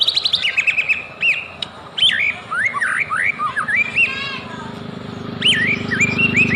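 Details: White-rumped shama lure song meant to set others singing: rapid chirps, then looping whistled slurs rising and falling, ending in a burst of sharp notes over a low buzzing background.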